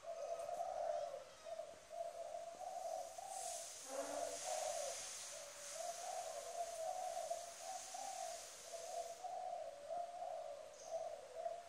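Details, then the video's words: Spotted dove decoy bird cooing with a firm coo: a steady run of low, hollow coos repeated through the recording, rather faint, over constant high insect hiss. "Mồi cây kèm gù cứng"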